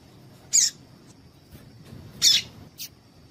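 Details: A female Double-collared seedeater gives raspy chips: one loud note, a second loud note nearly two seconds later, then a quick softer chip. The call is used to stir males into singing. A faint constant whine sits underneath.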